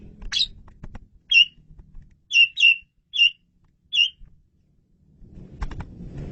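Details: Clear, loud Asian pied starling song for luring birds: a sharp opening note, then five short, bright whistled chirps spaced about half a second to a second apart, with faint low rumble at the end.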